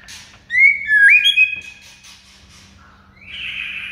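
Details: Master recording of a White-rumped shama, played so silent shamas will sing; a loud looping whistle and an upward-swept note, then softer low whistles and a drawn-out buzzy high tone.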